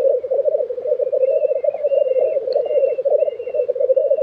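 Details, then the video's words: At a black grouse lek in Tiveden, Sweden, in April 2023, a continuous low bubbling coo is overlaid by thin, drawn-out high whistles from another bird. "Black Grouse Lek - sound recording"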